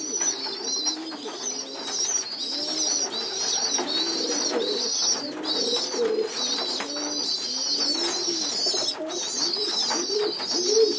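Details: Young pigeons begging during group feeding on a loft floor: continuous shrill, rasping squeals from several birds, with frequent soft rounded coos from adults mixed in.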